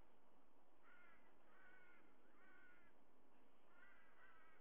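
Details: White-bellied sea eagle (Haliaeetus leucogaster) at its nest, recorded by nest camera, giving about five harsh, nasal, honking notes in loose pairs over four seconds, against a steady background hiss.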